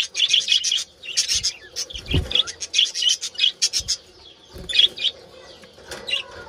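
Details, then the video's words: Budgerigars calling in a colony, described as mating calls: clusters of sharp chirps and chattering warbles, then sparser single notes, with a brief low thud midway. "BUDGIES Mating Call Sounds in Colony"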